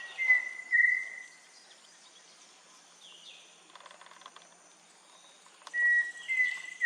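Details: Pheasant Cuckoo singing around a pond (cocha) in the Peruvian Amazon, Loreto, heard mostly at dawn and seen high in distant trees: clear, pure whistles, a drawn-out note then a second, given twice with a pause, over faint insect hum and distant birds.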